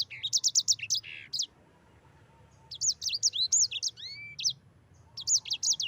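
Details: Yellow-fronted canary rolling song, 'ngerol' style, used as master recording for training: three bursts of fast, high, repeated whistled notes, the middle one ending in long rising slurs, with quiet gaps between.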